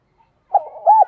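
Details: A decoy spotted dove calling to lure wild doves gives a brief soft coo that swells into one louder arched note.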